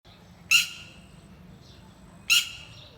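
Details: Mother bird watching over her young, loudly calling: two harsh, broad squawks about two seconds apart, each brief and strident, with a faint softer note between them.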